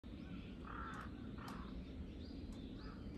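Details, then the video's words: Crows mobbing a hawk on 21 October 2023, three birds involved; harsh, broad caws near the middle of the clip, spaced about half a second apart, over steady low background rumble. "3 crows vs hawk ,カラス,까마귀"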